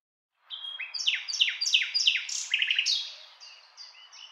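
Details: Common nightingale delivering a series of five loud swooping whistled notes at a steady pace, then a quick stuttering run and softer high sustained whistles fading out.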